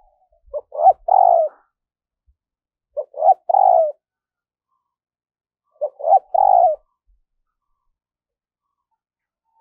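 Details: Spotted dove song used as a decoy to lure wild doves: three cooing phrases, each a short note, a rising coo and a longer falling coo, repeated about every two and a half seconds, clean with no other sounds.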